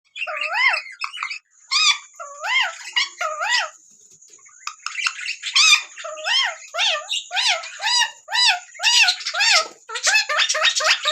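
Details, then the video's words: Rose-ringed parakeet (ringneck parrot) giving rough, wavering squawks and chattering notes in quick bursts, with a steady high-pitched whine running underneath. "Taking Parrots Natural sound"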